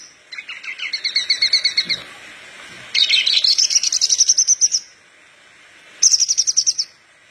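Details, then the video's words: Vigorous song of a parva Horsfield's bush lark, meant to teach young larks: a layered chattering phrase, then a longer run of fast high pulses, and a final short high burst. "Branjangan parva gacor pas buat pancingan branjangan bahan"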